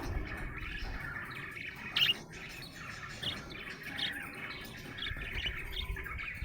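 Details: Happy pet budgie twittering softly in a quiet, rambling chatter, with one sharp loud chirp near two seconds and scattered squeaks, over a low background hum.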